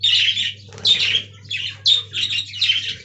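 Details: Budgerigars in an aviary colony, squawky grating phrases repeated about twice a second in loud pulses separated by softer dips, with a faint low hum.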